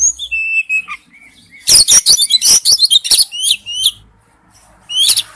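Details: Male oriental magpie-robin calling to a female: high clear whistles and slurred notes, then a dense burst of sharp, varied chirps and twitters, with a brief final flourish.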